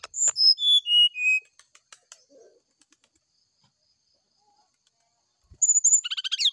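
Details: Morning fluting song of a brown-chested jungle flycatcher, used to provoke a reply: five pure whistles dropping step by step, a pause with faint ticks, then a fresh burst of clicks and high whistled notes.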